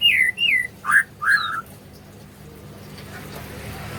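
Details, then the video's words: Murai in the morning, giving four loud whistled phrases within about one and a half seconds, falling and swooping, then near quiet with faint background hum. "Suasana pagi kicau merdu gacor pas isian murai"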